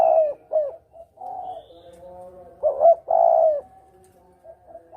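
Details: Spotted dove cooing used as a hunting lure, clear recording in the 'kuk dobel' style; deep rounded coo notes in short groups, a drawn-out softer coo, then a loud paired phrase before fading.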